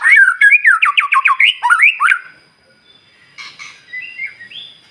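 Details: White-rumped shama morning song meant to prompt other birds to sing: fast, evenly repeated whistled notes in a trilling series, followed by quieter scratchy and whistled fragments.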